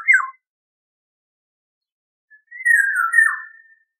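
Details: Eurasian golden oriole producing a short, falling fluty note, then after a pause a drawn-out, mellow whistled phrase over a second long that wavers and dips before trailing off.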